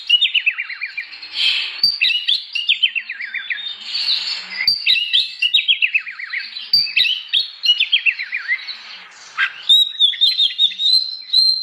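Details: Oriental magpie-robin singing loudly in the morning, its song meant to provoke other magpie-robins into singing; varied whistled phrases with rapid descending trill runs, sharp high notes and rich warbles, nearly continuous.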